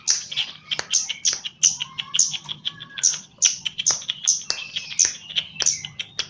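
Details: Javan Chestnut-capped laughingthrush in a cage, its temperament being trained, sings energetically in gacor fashion: rapid series of piercing high chips about twice a second, with faint lower sliding whistles underneath and a constant low background hum.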